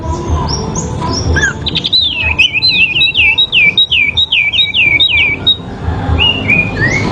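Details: Sooty-headed bulbul in a fighting duel, its song meant for training: a rapid run of looping, wavy whistled notes high in pitch, repeated about eight times, ending in a couple of softer rising whistles.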